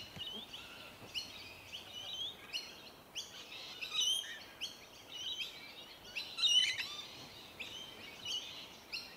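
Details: Several rainbow lorikeets chatter while feeding on tree violet berries in Melbourne, Victoria, in January; a continuous mesh of rasping, screeching notes with a few louder shrill squeals standing out around the middle.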